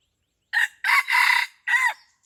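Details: Crow of a red junglefowl used in luring at Pasir Putih, Krueng Raya: a brief harsh note, then a long rasping two-part middle section and a short falling ending, set against a quiet background.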